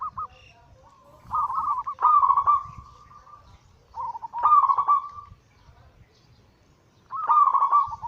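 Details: Zebra dove singing anggungan, used to lure birds and to restart doves that have stopped singing. Three trilled cooing phrases, each a soft bubbling roll ending in a drawn-out note, with quiet gaps between.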